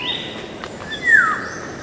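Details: Musical, falling whistle of a Black-naped oriole, loud and smooth, following a faint earlier note, with light background noise.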